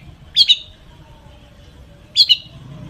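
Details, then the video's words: Long-tailed shrike with a mimicry-rich song used to lure other shrikes into singing: two brief, high, doubled squeaky notes about two seconds apart against a quiet background hum. "cendet gacor FULL ISIAN buat PANCINGAN CENDET AGAR BUNYI"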